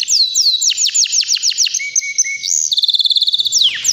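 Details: Powerful song of a white canary, about three years old: a string of quick descending whistled sweeps, then a steady fast trill and a final falling slur.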